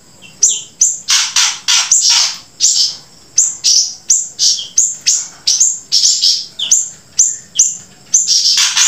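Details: Grey-breasted prinia in lively, persistent song, a track joined with siri-siri song: rapid bursts of high, harsh chirps with sharp downward-sweeping whistles, about two per second, continuous throughout.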